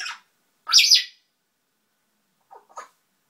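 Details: Pet grey parrot chattering on its own: a short rough note, a loud harsh squawk, then two quiet, brief murmured sounds.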